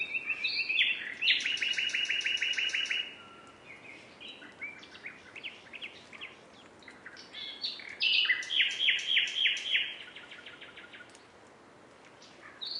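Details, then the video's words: Common nightingale pouring out long rapid trills of repeated notes, a quieter stretch of scattered chirps, then another loud fast rattling trill and a final bright note. "NIGHTINGALE sounds"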